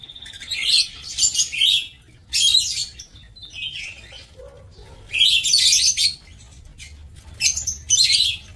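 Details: Lovebirds housed in an aviary for breeding, 27 March 2024, call in grouped bursts of shrill, buzzy chirps about every two seconds. A soft low note sounds in one of the gaps.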